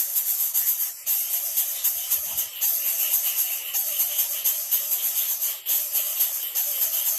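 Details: Steady shaker-like rattling music with a bright, hissy texture plays throughout, and no animal calls.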